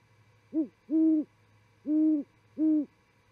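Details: Great horned owl calling at night while visiting an osprey nest at Charlo, Montana, on a live nest cam at 00:45 on 28 December 2017; four deep hoots, a short one followed by three longer, steady ones, with a faint low hum underneath.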